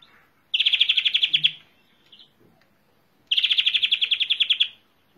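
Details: European greenfinch giving two rattling trills of about a second each, built from quickly pulsed notes and spaced roughly three seconds apart, against quiet surroundings.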